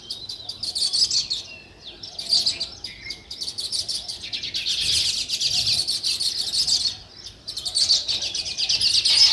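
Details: Natural sparrow chirping: dense, overlapping high-pitched chirps from several birds in waves, loud for stretches and dropping briefly near the middle and before the end.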